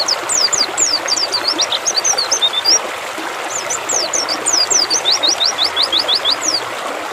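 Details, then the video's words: Mountain white-eye singing, used as therapy to make the bird sing: rapid run of thin, high downslurred chirps in quick succession, a brief pause, then a second run, over a steady hiss like trickling water. "TERAPI PLECI BIKIN GACOR"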